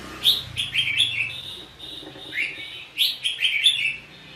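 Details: Red-whiskered bulbul in Vietnam during a trapping fight, delivering lively whistled phrases, rising slurs and bright chirps in two dense bursts with a short gap.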